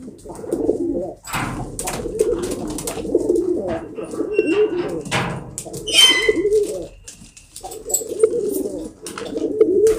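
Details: Pet pigeons coo in repeated low, gurgling phrases through most of the stretch, with a brief pause, a bright chirp-like squeak in the middle and occasional rustling clicks.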